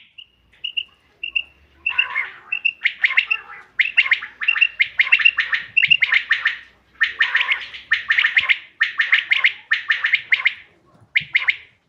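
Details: Common quail sound used as a hunting lure, dated 5 June 2025: opens with soft repeated piping whistles, then builds into regular bursts of rapid rattling pulses.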